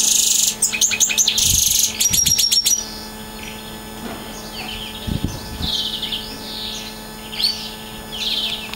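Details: Singing Siberian goldfinch opening with loud rapid buzzy trills and chattering runs for about three seconds, then softer twittering and warbled phrases, with a few low knocks and a constant faint hum.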